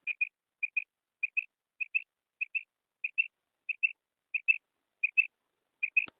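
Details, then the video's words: A female common quail's call, used in hunting quail in ripe wheat. Quick two-note whistles come in an even series of about ten pairs, ending with a sharp click. "Female Batair Sound / پکی ہوئی گندم کے شکار کےلیے بٹیر کی کرک"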